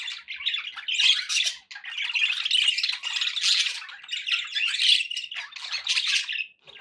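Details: Busy budgie chatter from pet birds: swelling waves of scratchy warbling and squeaky squawks, a brief pause near 1.7 seconds, ending with a rising whistled squeak.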